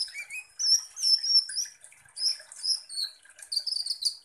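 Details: Sunbird (kolibri ninja) singing prolifically, played as a lure to provoke other sunbirds: high, thin whistled notes and short rising slurs mixed with rapid chirps, in bursts about half a second apart.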